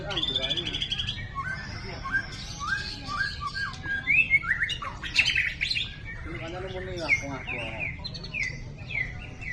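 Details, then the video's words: White-rumped shama, described as a champion across all competition classes, delivering a rich, fast, varied song of whistled phrases, sharp chirps and buzzy notes in quick succession, with low background hum. "Burung Kecil, Suara Sadis! Ini Dia Murai Batu Jawara Semua Kelas"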